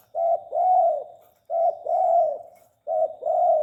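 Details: Tame spotted dove giving three paired coos, each a brief note followed by a longer swelling one, repeated about every one and a half seconds, soft and mellow with a quiet background.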